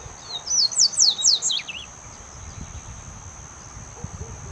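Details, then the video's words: Wild double-collared seedeater, one of five singing free in nature: a quick run of slurred, descending high whistled notes lasting about a second and a half, over a steady thin high tone, then quiet outdoor background. "5 COLEIROS CANTANDO SOLTO NA NATUREZA PRA FOGUEAR SEU COLEIRO"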